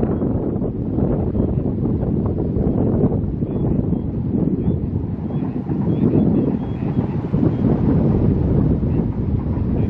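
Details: Steady wind rumble and low, broad outdoor noise fill the recording, with no clear animal calls.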